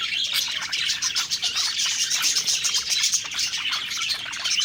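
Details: Several budgies chattering happily during a meal, continuous high, squeaky warbles and rapid tweets overlapping without a break.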